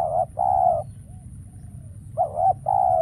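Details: Caged decoy spotted dove calling during trapping, with wild doves now scarce and none appearing. Two low paired coos, each a short note followed by a longer, steadier one, separated by a quiet gap with faint softer notes.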